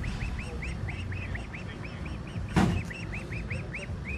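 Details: Injured female Muscovy duck, kept indoors for about a week, returned to a marina and reunited with her mother, the pair calling to each other: short arched chirps repeated about three times a second over low rumble, a man speaking, one sharp knock.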